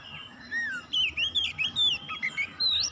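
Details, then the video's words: Pet Oriental magpie-robin kept at home, singing actively during daily training; varied whistled phrases with rising and falling slurred notes around a bright mid-high pitch, delivered in short bursts over faint low background rumble. "Kacer rumahan rajin bunyi gacor"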